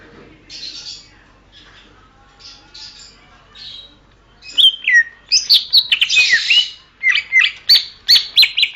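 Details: Greater green leafbird song for training songbirds: after soft hissy rustles, a loud burst of bright whistles, downward slurs and rapid chattering notes in the second half.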